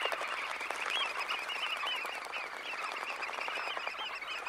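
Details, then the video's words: A flock of around 20,000 red knots taking off from a high tide roost fills the air with rapid overlapping calls and a rushing flutter of wings, evenly sustained. "Red Knot. CU Sound Of About 20,000 Birds Taking Off From High Tide Roost. Calls"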